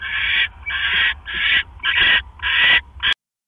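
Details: Late-night nest scene, 5 October 2015, with the male owl bringing a rat and the female eating it then brooding her eggs; six harsh hissing bursts, each near half a second, ending suddenly.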